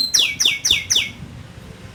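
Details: Canary singing in top form: four sharp, bright, downward-sweeping notes evenly spaced about a quarter second apart, followed by quiet.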